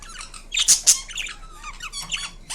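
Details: Indian ringneck parrot in a small room making two loud scratchy squawks, then quieter whistled and chattering notes trailing off.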